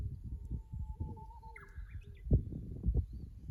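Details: Kusu tank road, Japan, 24 April 2025, fixed camera: a Japanese bush warbler gives a level low whistle and then a short jumpy upward phrase, faint beneath strong low rumbling and a few loud knocks.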